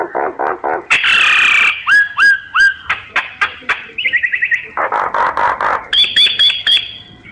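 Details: Myna singing a varied phrase: low pulsed bursts, a harsh noisy rasp, three upslurred whistles, a rapid buzzy trill, then a higher sustained whistled series.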